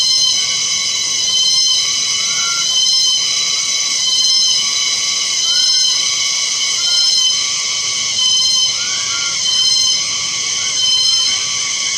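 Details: A steady, high electronic alarm-like tone pulses roughly every second and a half, with no clear animal voice.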